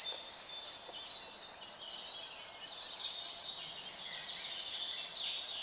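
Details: Middle spotted woodpecker nestlings keep up a high, raspy, continuous chatter of begging calls from their nest in a snapped-off oak beside a footpath, as the adults feed them mainly cockchafers.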